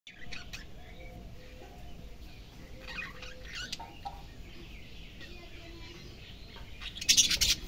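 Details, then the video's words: A pet budgerigar after waking in the morning gives quick, scratchy chirps and warbles in a busy stream, growing louder and sharper near the end, over a low room hum. "আমার বাজরিগার পাখি সকাল বেলা ঘুম থেকে উঠে যা যা করে"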